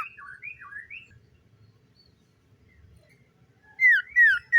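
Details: Common iora singing in the morning: a few faint, wavering whistled phrases at first, then after a quiet gap three loud, clear, slurred whistles close together near the end.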